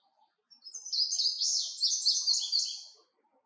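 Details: Indigo bunting singing a bright, high-pitched phrase of doubled, slightly buzzy notes repeated in a rapid run lasting about two seconds, then stopping, over near silence.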